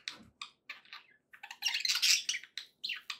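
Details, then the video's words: Indoor budgerigars producing a sequence of short, clicky chirps and scratchy notes, building to a busier burst of harsh chatter before separate chirps return; a soft tapping noise sits underneath. "budgie sounds to encourage your parrot to eat and sing"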